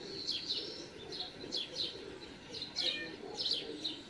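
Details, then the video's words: Young great spotted woodpeckers begging to be fed by an adult in a home garden on 13 June 2019, giving high, sharp chirps repeated roughly every half second over faint low background noise. "Buntspecht füttert bettelnden Nachwuchs"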